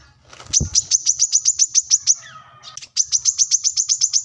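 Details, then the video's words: Plain-throated sunbird, keen to challenge a rival, recorded as training audio: two runs of rapid, evenly spaced high piercing notes, a dull thump at the start and a faint lower whistle between the runs. "kolibri kelapa | wiceh | manggar | korlap gacor mencari lawan"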